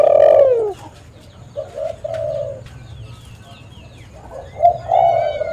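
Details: Tekukur (spotted dove) lure recording: one loud falling coo at the start, then quieter short coos and a gentle wavering coo phrase near the end over a low background hum.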